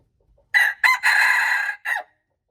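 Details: Red junglefowl crowing, recorded March 2, 2025: two short clipped notes, then a long sustained ringing note about three-quarters of a second, ending with a brief falling note, all against a quiet, empty background.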